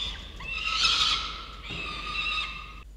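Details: Young peregrine falcons calling at their nest in November, filmed by a nest camera: one steady, strained scream held nearly three seconds with a short break midway, rich in harmonics, then an abrupt stop.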